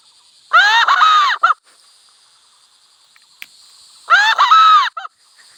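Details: In a village setting, a red junglefowl gives two short, hoarse crows about three seconds apart, each with a clipped final note, over a steady high insect drone.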